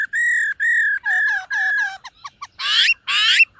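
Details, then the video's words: Silver-eared laughingthrush during morning voice practice: a series of long level whistles, descending slurred notes, quick clipped chips and two harsh buzzy rasps at the end. "Khướu BẠC MÁ hót MÚA luyện giọng . Khướu hót sáng luyện giọng kích bổi"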